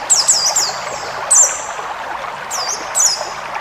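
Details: Forest white-eye used to tutor caged birds: short bursts of very high, thin, wavering chirps about every second, separated by gaps filled with steady watery hiss.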